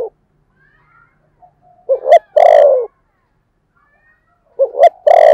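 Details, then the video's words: Spotted dove used as a decoy bird, 'thổ' style voice: two short rising hoots followed by a long, resonant, downward-sliding coo, the phrase repeated after a pause of about two seconds. "Chim Cu Mồi giọng THỔ"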